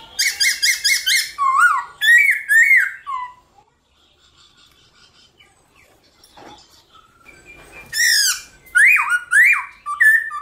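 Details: Black-throated laughingthrush singing in the morning to stimulate other birds: rapid stuttering repeated notes and slurred whistles falling in pitch, a quiet gap with a click, then more loud whistled slurs and a harsh burst.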